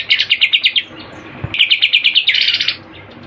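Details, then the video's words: Greater green leafbird delivering song laced with kapas tembak and cililin imitations: two quick volleys of sharp, stuttering chip notes, each about a dozen strong, ending in a denser buzzy flourish. "Cucak Ijo Gacor Full Isian Tembakan Kapas Tembak dan Cililin"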